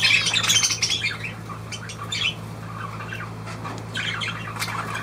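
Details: Budgerigar giving fast, rasping high chatter that is loudest at the start, then sparser squawks and chirps, with a constant low hum underneath.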